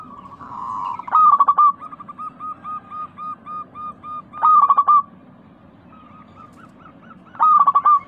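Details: Crystal-toned local zebra dove in a recording played to spur caged doves to sing. Three loud rolling coo bursts, the first followed by a chain of soft, regularly spaced notes.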